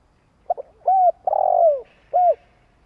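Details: Spotted dove giving a long coo to provoke wild doves into calling: two quick soft clicks, then a smooth coo, a longer throaty falling coo, and a final short coo, in quiet surroundings.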